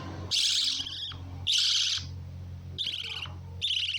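Lovebird giving four harsh, shrill screeching bursts about a second apart, each a rasping chatter, over a steady low electrical hum.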